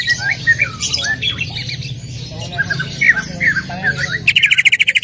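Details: Greater green leafbird singing as a lure to get other leafbirds to sing: varied short whistles and harsh squawky notes, ending in a rapid, regular ringing trill, with a low background hum.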